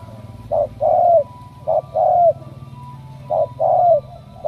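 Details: Spotted dove of Ca Mau, a chosen cooing 'đồng' bird, giving three paired phrases: a short low note, then a drawn-out coo that dips at its close, with low rumbling hum underneath.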